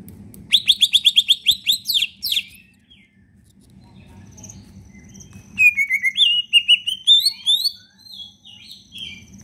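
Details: Caged leafbird (cicak ijo) singing actively with a full repertoire of fills, used as a lure for leafbirds reluctant to sing: rapid runs of sharp high chirps, then a pause and a burst of varied warbled whistles with quick trills.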